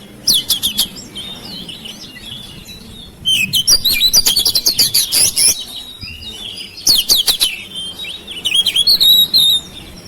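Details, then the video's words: Oriental magpie-robin (kacer) kept at home, singing to stimulate silent birds to sing; bursts of loud rapid chattering notes with sharp whistles and trills, separated by quiet pauses. "KICAUAN KACER RUMAHAN MEMANCING SUARA KACER YANG BISU MACET"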